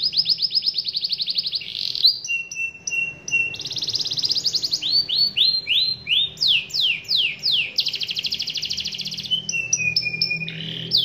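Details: Singing canary answering a rival: fast trilled bursts, steady whistled tones, and repeated rising swept notes, grouped into loud, varied phrases with short pauses between them.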